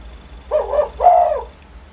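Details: Spotted dove said to set surrounding birds calling: two mellow coos in one phrase, the second drawn out and stronger, over a steady low hum.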